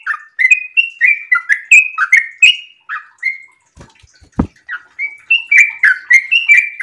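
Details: Sooty-headed bulbul in breeding condition singing an extended rapid 'ropel' song: bubbly whistled two-note phrases tumbling up and down, repeated quickly, broken midway by a short pause with a few dull knocks.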